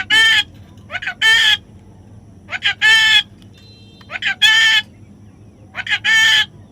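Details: Baby parrot being tamed: loud, harsh, rasping squawks in short bursts, often paired, returning every one to two seconds with quiet gaps between, over a faint low background hum.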